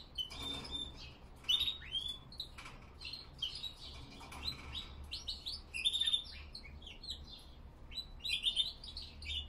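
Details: Several classic Spanish Timbrado canaries singing together in the cold, 5°C, 87% humidity, 07:46 am; overlapping quick chirps, whistled slurs and brief trills scattered throughout, with no single continuous phrase.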